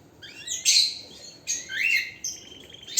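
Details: Short bursts of canary song: loud, sharp chattering phrases separated by brief pauses, mixing high buzzy notes with lower rattling trills.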